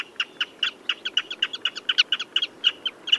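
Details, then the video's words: Common redshank delivering hurried, evenly pitched high 'tip' notes in quick succession, more than two per second, over a faint hiss. "Tiếng Chim Choắt Chân Đỏ"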